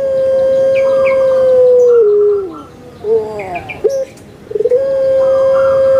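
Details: Pet puter pelung, the Barbary dove kept on Java, Indonesia, sings a full deep 'big voice' phrase: a long level coo that drops, broken gurgling notes, a short pause, then a rising swell back into another sustained low coo. Faint chirps sound behind it.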